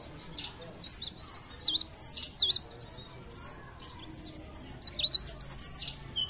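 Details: Leaf warbler known locally as cikrak daun, Pare Pare, in vigorous blereng song: two clusters of quick, high, zigzagging twittered notes separated by a brief lull.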